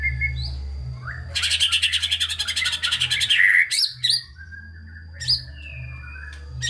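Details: White-rumped shama song meant to spur lazy shamas: a quiet whistle, then a long rapid rattling trill, followed by sharp loud upward-flicked notes and a drawn-out whistle, spaced apart; low background hum.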